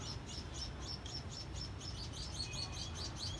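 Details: Sparrows, free on a rooftop terrace in Saigon on 3 December 2022, give short, high chirps in a quick, steady series, several each second, over a constant low city rumble.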